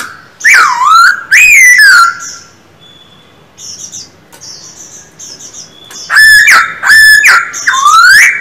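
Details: Whistled song of a caged silver-eared laughingthrush being trained to sing: two bold looping phrases, a quiet gap with faint high chirps, then a burst of strong, sweeping notes in quick succession.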